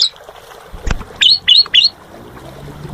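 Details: Asian pied starling (jalak suren) singing in a lively, chattering gacor style: three quick, clear whistled notes sweeping up and down, bunched within a second, after a sharp click, over faint background hiss.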